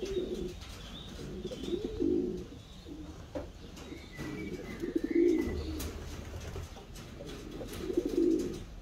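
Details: Pigeon cooing indoors: low, rolling coos swelling and fading every few seconds, with faint clicks and a brief higher chirp from another bird in the background.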